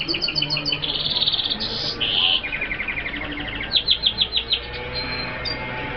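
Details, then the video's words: An F1 red siskin sings a high, fast twittering of repeated chips and buzzy trills, with short bursts of rapid notes running together throughout. "sound of the kaputzensijs birds"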